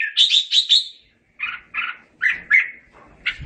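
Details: Red-whiskered bulbul singing to call its flock: a quick run of four bright chirping notes, then spaced, slightly lower fluty chirps at irregular intervals, in otherwise quiet surroundings.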